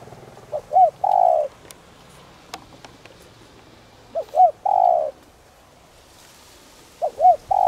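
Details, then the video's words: Caged decoy spotted dove with a 'đồng' voice, calling to provoke wild doves. Three phrases about three seconds apart, each with two short arched notes followed by one long, steady coo. Faint clicks can be heard in the background. "Cu gáy Đồng rặc gáy gọi kích bổi nhanh nổi/Cu gáy mồi cây kích bổi cực nhạy nhanh gáy"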